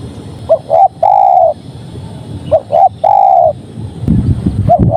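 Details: Spotted dove (tekukur) cooing: a pair of short notes followed by a long steady coo, repeated twice about two seconds apart, then a low rumbling noise and the start of another phrase.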